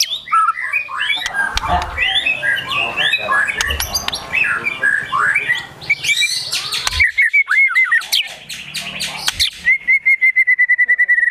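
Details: Agitated white-rumped shama song (gacor emosi) with besetan, tembakan, sogon and kunti fill: a dense tumble of warbled phrases, then level whistled notes and a fast ending run of ticks.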